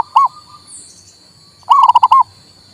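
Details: Local male zebra dove sounding to stir a silent bird into singing: one short coo, a pause, then a quick run of five rolling coo notes, over a constant high-pitched hum.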